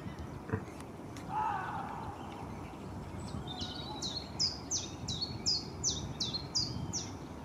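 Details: Common chiffchaff in spring in the Kennemerduinen dunes, South Kennemerland, Netherlands, first week of March, just back from southern Europe and North Africa, moving restlessly while singing a steady string of high, clipped chiff-chaff notes, about two per second; brief lower call earlier, over wind rumble.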